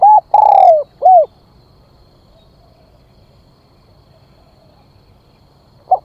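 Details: Spotted dove acting as a lure, calling to bring in other birds. The tail of a phrase is heard: a rounded coo, a long falling purr and a closing coo. Silence follows, then a single short note near the end.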